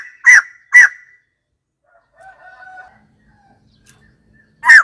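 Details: A few loud, harsh single notes of white-crested laughingthrush, widely spaced, with a faint, thin chattering phrase in the gap between them.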